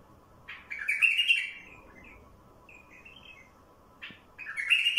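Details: Wild bulbul singing, a recording meant to stir wild bulbuls into song: two bright warbled phrases with chattering notes, one near the start and one at the end, with softer twittering between quiet gaps.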